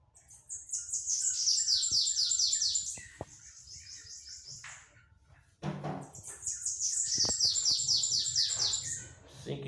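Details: Bananaquit (sibite) singing in the pitiú style, recorded on 11 November, a Saturday: two bursts of rapid, high, buzzy repeated strokes, each run slightly descending, separated by a quieter gap with faint clicks and low background hum.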